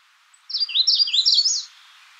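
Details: One close, clean Magnolia warbler phrase of quick, sweet notes slurring downward, run together into a bright burst of about a second, ending with a higher flourish.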